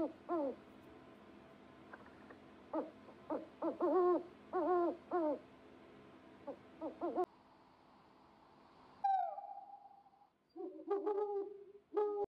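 An owl gives short, hooting notes that rise then fall, in quick bursts of two to four. After a brief hiss comes a single falling whistle, then more hoots.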